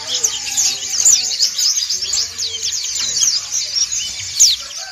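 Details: White-eyes (Dakun and montanus) calling together in a group: many high, thin, rapid twittering phrases overlapping continuously, with a faint low murmur of a voice underneath.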